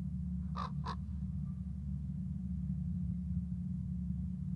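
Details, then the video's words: Crow or raven, possibly a youngster, calling in a back-and-forth exchange: two quick harsh caws close together, then quiet, over a steady low rumble of background hum. "Raven or Crow"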